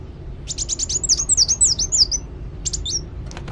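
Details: Sunbird in energetic song: a rapid string of high, sharp chirps running into quick, looping whistled notes, then a brief pause and a short final burst.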